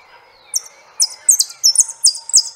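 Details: Saffron finch singing high, sharp chirps in short clusters that grow denser toward the end, with a faint low hum behind.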